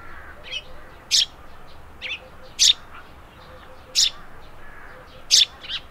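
A Eurasian tree sparrow gives sharp, high chirps roughly every one to one and a half seconds, with softer chips between them over a faint background hiss.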